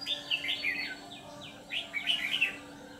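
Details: White-cheeked red-whiskered bulbul kept as a decoy to draw others into a trap, ché singing style; bright, bubbling warbles and slurred downward notes, two loud phrases framing softer swoops.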